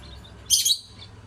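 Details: Lovebirds singing: one loud, harsh, shrill chirp lasting about a quarter second, with a fainter high twitter before and after it.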